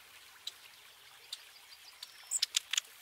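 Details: A long-tailed tit (Aegithalos caudatus), a European bird, gives thin, very high ticking notes, then a quick cluster of four or five sharp, high calls near the end, over a soft watery hiss.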